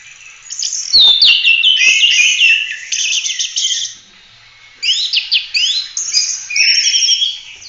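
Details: Oriental magpie-robin delivering 'full roll tembak' song for training other birds. Two bursts of rapid varied chirps and descending whistles are split by a silent pause, with some sharp clicks early on.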